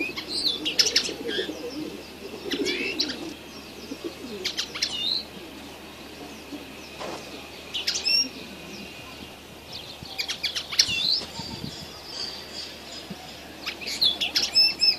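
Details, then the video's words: Red siskin chick singing in scattered high, thin twitters and quick chirp bursts spread across the recording, with soft low cooing now and then in the background. "تغريد فرخ طائر النينو الكماتشو"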